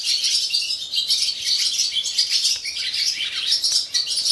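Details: Barn swallows giving their morning song at a swallow farm in Gelselaar, the Netherlands: dense, overlapping high twittering and chattering from many birds, continuous throughout with no pauses.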